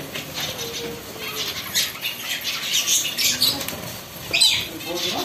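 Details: A pet budgerigar, described as happy, chatters in bursts of scratchy, high chirps and squawks, with some rustling in the background.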